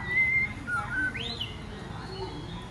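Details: Female white-rumped shama provoking males to sing and fight gives a short level whistle, a brief lower note, then a swift upward-swooping whistle before fading into background hiss.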